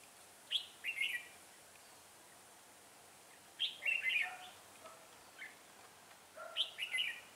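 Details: Red-whiskered bulbul used as a decoy bird for trapping, recorded 6/12/2016: three short, bright whistled phrases dipping and rising, about three seconds apart, with a few faint softer chirps between them in a quiet setting.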